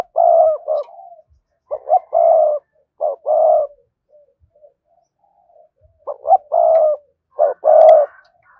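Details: Spotted dove voice used to provoke and lure wild doves, giving loud repeated three-part coos, two quick notes followed by a drawn-out mellow note, in bursts separated by brief soft murmurs and pauses.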